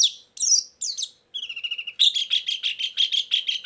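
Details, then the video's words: White-eye singing as a bird-trapping lure: a few loud, sweeping whistles, then a soft, rapid twitter and a string of harsh, repeated buzzy notes about twice a second. "suara burung pleci pikat+isian"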